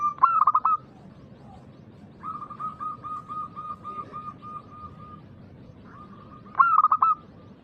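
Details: Loud-voiced local zebra dove calling to prompt other doves to reply: a burst of clipped, stuttering coos, then a long evenly paced series of soft coos, and another stuttering burst at the end.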